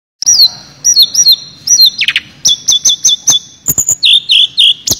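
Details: Sulingan (Tledekan) singing in the flute-like 'nyuling' style, pouring out its imitated song material: clear high whistled notes, some sliding down, mixed with sharp clicks and quick repeated chips, delivered in rapid bursts.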